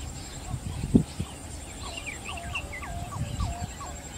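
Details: Yellow bittern at Sultanpur wetland, Navsari, giving a quick run of about eight hollow, clucking notes, four or five a second, over low rumbling background noise.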